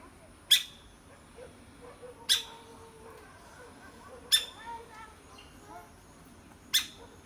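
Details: Sharp woodpecker taps while pecking, four crisp knocks spread about two seconds apart over seven seconds, with soft twittering bird notes faintly audible between the strikes.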